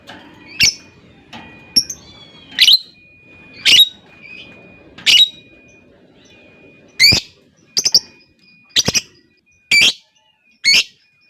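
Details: Lovebird in a contest-style recording, sharp broadband chirps and squawks spaced about one per second, with a faint steady high tone running beneath.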